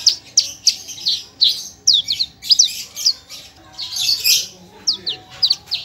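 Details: A parva Javan bush lark sings clear, quick downslurred whistles and chirps, often paired, plus a buzzy burst midway, in a varied tutor song.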